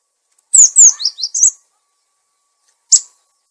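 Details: Clear-voiced cinereous tit lure sound: one rapid phrase of five sharp, high descending chirps, then a single short note after a pause.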